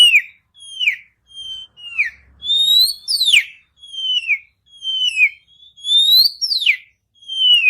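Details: Oriental magpie-robin lure song to start another bird singing: clear, sweet whistles, mostly falling, some rising steeply, delivered singly about once a second with short silences between.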